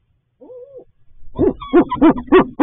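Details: A barred owl at a nest box, where the nesting female has two eggs (March 10–11, 2021), gives one soft, higher hoot, then four louder, arched hoots about a third of a second apart, deep and slightly rough.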